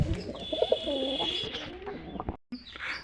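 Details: A female domestic pigeon, held in the hand, gives low, throaty coos in short repeated bursts over a steady high whine.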